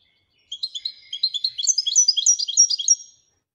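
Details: Moroccan goldfinch performing Ouidani song: a single phrase of about two and a half seconds, made of rapid, high, liquid chirps that build in loudness and then stop abruptly.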